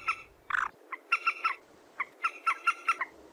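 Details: A common moorhen call used as a lure for bird hunting: a run of short, harsh clucking notes, some in quick pairs, about a dozen in three seconds.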